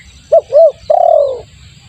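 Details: Spotted dove lure call used as bait for trapping: two short rising-falling coos followed by a longer, drawn-out coo that slides gently downward, all mid-pitched and hollow.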